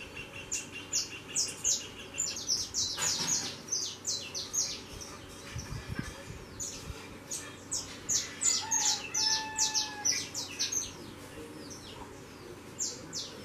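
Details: Saffron finch young leaving the nest and flying produce dense, nearly continuous high chirping, with a brief low thump and some lower tones midway.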